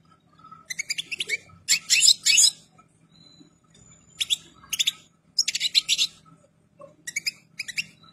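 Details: European goldfinch, ready and in complete plumage, sings clusters of quick, bright twittering notes in bursts of one to two seconds separated by brief silences.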